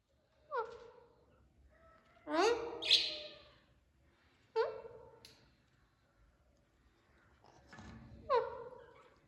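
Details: Parrots calling naturally: loud, harsh squawks and descending screeches in separate bursts about every two seconds, some rising and falling, against a quiet background.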